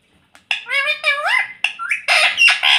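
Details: Pet rose-ringed parakeet mimicking speech, saying "mummy": a run of voiced, wavering syllables with rising inflections, followed by harsher squawk-like bursts.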